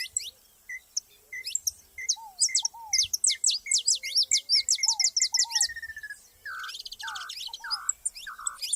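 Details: Saffron finches singing together in nature: dense bursts of sharp, high chirped notes, rapid downward-slurred chips and a quick run of repeated mid-pitched notes, with lower slurred whistles from another bird in between.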